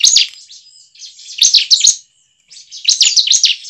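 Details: Lure song of a bar-winged prinia meant to prompt caged birds to sing readily: three bursts of high, strident chirps and fast trilled notes, separated by short pauses, over a thin constant whine.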